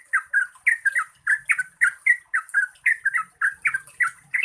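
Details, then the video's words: Bubbly lure song of a Yellow-vented bulbul, 'gacor ropel panjang' style, played to encourage quiet birds to sing: rich, liquid two-part notes, about two per second, with a faint low rumble. "Pancingan Trucukan Gacor Ropel Panjang COCOK untuk BURUNG TRUCUK MALAS BUNYI"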